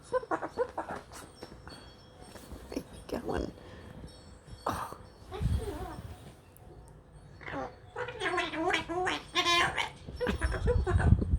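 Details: Male long-billed corella, rescued after a car strike and hand-raised, swearing at the household cat indoors: gargly, throaty speech-like bursts, then clearer harmonic mimicked words near the end, with a person speaking briefly.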